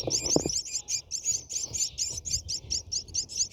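Brahminy starlings give a steady stream of high, thin chirps, about four a second, with a few soft knocks at the start.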